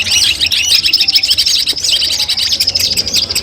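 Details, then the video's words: Long-tailed shrike (cendet) masteran training sound played to test nerve before a competition: fast repeated high chirping notes, about three a second, bright and sharp, over a faint low hum. "masteran kumpulan suara cendet tes mental sebelum lomba"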